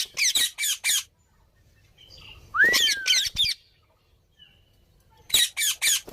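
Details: Harsh squawk bursts from a green parrot in three groups of three or four, with a single smooth, rising-and-falling whistle in the middle group.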